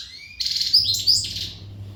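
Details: Short burst of readiness song from an untutored Western goldfinch: a thin rising whistle, then a quick jumble of bright, high chirps and twitters, with a faint low hum behind.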